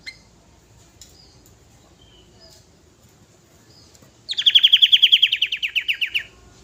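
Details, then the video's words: A sooty-headed bulbul, five years old, in full-material song for calling other birds: after quiet background, a loud rapid run of bright notes begins high and slides slightly lower over about two seconds. "Kutilang gacor full materi"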